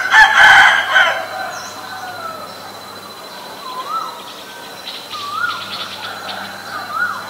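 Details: Asian koel calling: after a loud, noisy burst at the start, about four clear rising whistled notes follow, spaced one to two seconds apart, over a steady thin high hum in the background.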